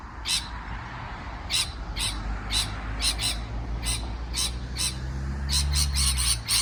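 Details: Parrot chirping: short, harsh, broadband calls repeated about twice a second, irregularly spaced and growing denser toward the end, over a steady low hum.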